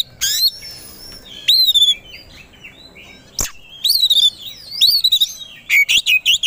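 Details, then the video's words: White-rumped shama (kacer) provoked into aggressive, fight-ready singing: loud, separate whistled phrases, some sliding and warbled, with sharp clicks and a final run of quick repeated high notes near the end. "Pancingan Kacer Agar Cepat Emosi Gacor 3 || Super Gacor Langsung Tarung"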